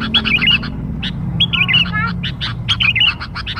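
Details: Young-bird lure of sooty-headed bulbul song: quick chirps and short bubbling, slurred phrases in clusters separated by brief pauses, over a steady low hum.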